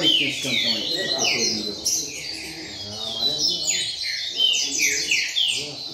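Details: Several double-collared seedeaters in a singing circle, singing and calling together: dense, overlapping downslurred whistled notes and quick chirps tumbling over one another, with a man's voice talking underneath.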